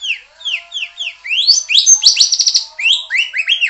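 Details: White-rumped shama in full song. Repeated downslurred whistles give way to a loud, dense, rising rattle of high notes, then more falling whistles.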